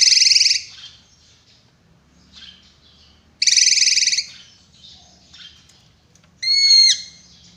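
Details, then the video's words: Drongo giving a sharp song: two loud, harsh buzzy bursts a few seconds apart with faint chatter between, ending in a clear whistled note that slides downward. "BURUNG SRIGUNTING GACOR"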